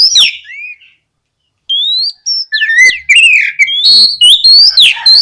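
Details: Oriental magpie-robin singing loudly and fluently, used to stimulate untrained magpie-robins to answer and sing: short whistled slurs around a brief pause, then a dense run of rising whistles, sharp downslurred notes and buzzy rasps.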